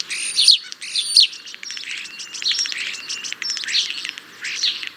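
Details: A European starling sings high thin whistles and squeaky slurred phrases mixed with rapid clicking rattles, the phrases rising and falling in quick succession.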